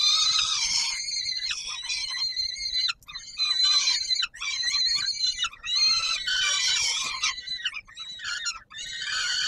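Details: Peregrine falcons calling at feeding time at the Palace of Culture and Science, Warsaw, Poland, on 17 July 2022: an almost unbroken stream of shrill, grating screams with only brief pauses.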